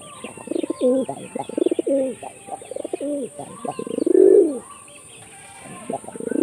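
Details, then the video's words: A run of rapid low throbbing coos from a hunting-trained pigeon in Jessore, Bangladesh, building into a louder drawn-out coo near four seconds, with faint higher chirps and hiss behind. "শিকারি কবুতরের রহস্যময় ডাক"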